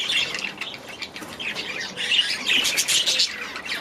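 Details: Budgerigars in an aviary chattering together: bright, scratchy chirps and warbles overlap in bursts, with a louder run of busy twittering near the end and soft wing flutters between calls.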